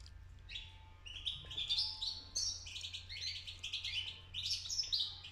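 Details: Juvenile European goldfinch beginning to sing, a rapid, rambling series of high tinkling and buzzy twitters that builds after a quiet first second, with a faint constant hum below.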